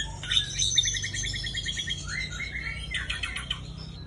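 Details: Aceh white-rumped shama, kept as a breeding parent, sings a fast mix of repeated chipping notes, sliding whistles and trills, with constant low-pitched hum underneath.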